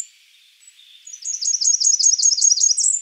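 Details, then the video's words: After a quiet second, a Blackburnian warbler gives a single thin, very high phrase of about eight rapid zigzag notes, rising at the end. "Blackburnian warbler calling"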